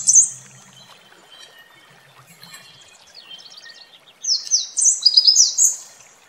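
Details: Red warbler by a waterfall: a loud high note at the start, a quiet stretch of faint chirps over rushing water, then a strong, high, tumbling trilled phrase of about two seconds.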